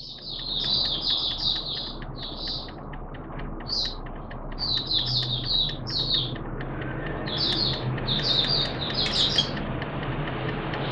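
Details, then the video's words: Malaysian Oriental white-eye (Mata Puteh), a hobby bird, recorded 21 June 2023: bursts of quick, high twittering notes in clusters, over a constant loud background hum and rumble. "Malaysian Mata Puteh Buka Sing"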